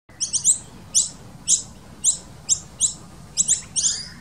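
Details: Noisy miner nestlings being fed in a nest built in a tree fern in a garden; high, thin squeaky chirps with harmonics, repeated about twice a second in quick bursts, fairly steady background hiss.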